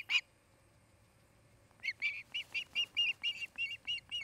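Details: Osprey at its Charlo, Montana nest, where a pair is preparing to raise a family: a single sharp chirp, a pause of over a second, then a quickening string of high, clipped whistles.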